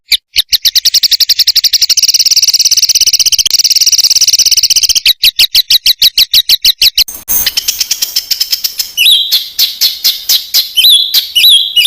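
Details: Contest-bird master recording of a songbird with dense 'tembakan rapat' material: a long, fast, high rattling trill, slower sharp repeated notes, a harsh noisy burst, then quick whistled rising and falling phrases.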